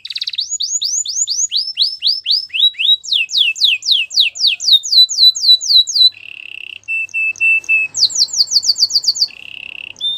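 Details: Belgian canary song: long runs of rapid downward-sweeping whistled notes repeated several per second, broken by steady flat buzzy rolls, then another fast descending series and a final rolled phrase.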